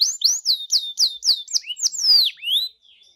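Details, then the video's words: Canary song used to draw out singing from another canary: a string of about nine looping, sliding whistled notes, each falling in pitch, with a final long descending whistle and soft fading notes. "PANCING DENGAN INI KENARIMU LANGSUNG NYAUT GACOR"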